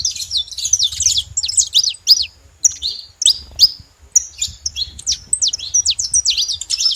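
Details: Several wild saffron finches in a flock give a lively chorus of high chirps and sweeping twitters, thinning to scattered single notes midway before building again, over a low background rumble.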